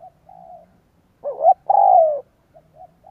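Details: Spotted dove decoy calling for wild doves: a soft low coo, then a loud phrase of two hooked notes and a long falling coo, followed by quiet short coos.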